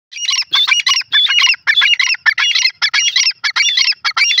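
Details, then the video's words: Grey francolin, known locally as jungli teetar, calling in a jungle: a fast, loud run of harsh, shrill, repeated notes, several per second, continuing without pause across the whole stretch. "jungli teetar ki awaz,grey francolin in ajungle"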